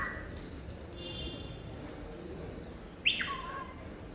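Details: A talkative pet cockatiel in an office gives a sharp, bright chirp that drops quickly in pitch, after a faint thin whistle.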